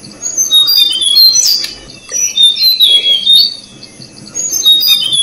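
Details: Tickell's blue flycatcher chicks in Thailand give thin, high, squeaky begging notes in excited bursts, rising and falling, with short pauses between, as parents bring food.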